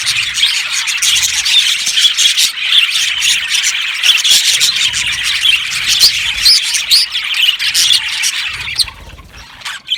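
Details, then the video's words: Budgerigar colony chirping in an aviary, lively rapid tweets and squawks in dense overlapping chatter, fading slightly at the close. "Budgies chirping sounds"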